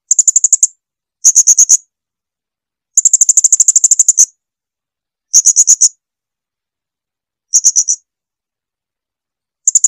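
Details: Blue-crowned hanging parrot (srindit) singing for a bird-training recording: repeated bursts of very high, rapid ticking notes, some stretched into longer trills, with short silent gaps and no background noise.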